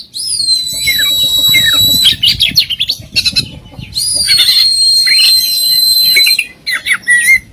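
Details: Kacer, the Oriental magpie-robin, delivering full song with varied fill and burst phrases: long thin sustained high whistles with downslurred notes, interleaved with rapid harsh chattering bursts.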